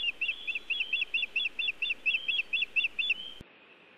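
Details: Osprey at a Montana nest on the evening of 1 June 2017, bringing nest material before departing: about thirteen quick, bright whistled cheeps at an even pace, ending abruptly with a click and then near silence.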